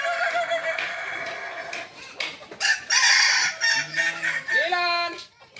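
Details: Crowing practice contest of balenggek roosters in Ampang Kualo, Solok city: a blur of overlapping crows followed by a clear multi-part crow of several held, level notes stepping up and down, with voices behind.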